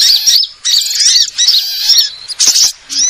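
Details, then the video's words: Lure calls of sunbirds: bursts of sharp, high, thin chips and quick rising-falling twitters in phrases about half a second long, separated by short pauses, then a final high squeaky note. "suara pikat semua jenis burung kolibri"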